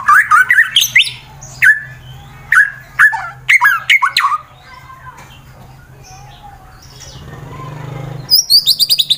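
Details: Fighter white-rumped shama from Wonosobo, Central Java, Indonesia, used to make rivals sing: clusters of sharp upslurred whistles and chips, a quiet gap with faint background hum, then a fast high trill.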